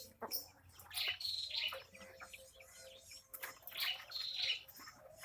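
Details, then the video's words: Angry Javan myna, disturbed while bathing, repeats hoarse, rasping call notes in two pairs of bursts, with faint water and rustling sounds throughout. "Burung jalak kebo marah saat diintip mandi"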